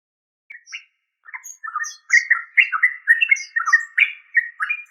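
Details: Yellow-vented bulbul (trucuk) giving bubbly, chattering notes, starting with two short phrases after a pause, then a steady run of quick, slurred warbles with fainter high squeaks over them.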